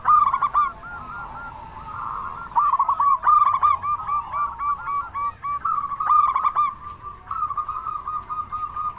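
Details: Zebra dove, a local bird, sings steadily to provoke and excite other doves; sharp clicking note bursts start each phrase, then a rolling, trilled coo, several phrases over nine seconds.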